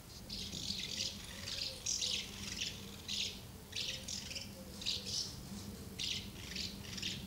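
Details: House martins gathering at two nests where young are fed, recorded 24 August 2012; dry, buzzy chirrups come in short bursts about twice a second, with a faint low cooing underneath.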